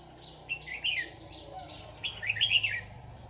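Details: In Đồng Nai, Vietnam, on 26 June 2019, a Red-whiskered bulbul lure bird sings competitively during morning trapping; two short bursts of bubbly warbled notes with a high constant hum beneath.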